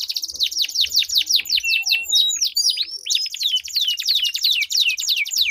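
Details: Long rolling canary song from a duel between birds, used to stir quiet canaries into song: continuous fast downward sweeps and high chips, dense and unbroken, with faint lower chatter early on.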